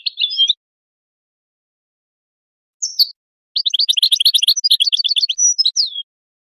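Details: Goldfinch phrases: a short scratchy twitter, then a high falling note, then a long fast run of sparkling chirps ending in a drawn-out descending whistle, with silences between.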